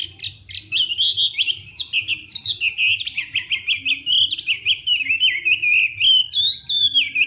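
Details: Hwamei morning fighting song, sung for voice practice: continuous, loud, high warbled phrases full of rapid slurs and trills, pouring out without pause.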